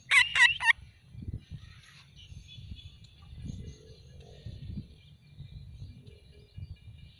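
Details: An Alexandrine parakeet gives three loud, harsh, grating screeches in quick succession at the start, followed by low rumbling background noise and a faint thin tone.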